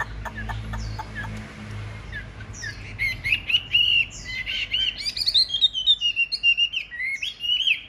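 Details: Chinese hwamei in a fighting display, caged: faint clicking taps at first, then a fast, varied burst of chattering whistles and twittering notes that grows louder toward the end.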